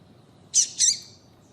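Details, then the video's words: Female rusty-collared seedeater calling, used to stir a male into singing; two short high, harsh chirps in quick succession over quiet background hiss. "Melhor Piado de Fêmea de Coleiro para Foguear Coleiro tui tui Com Fêmea de Coleiro Chamando"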